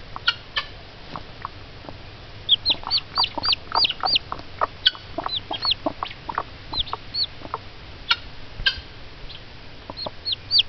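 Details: Hen excited by peeping from hatching eggs: a steady run of short clucks with bursts of high, falling chick peeps coming in quick series, then pausing and resuming.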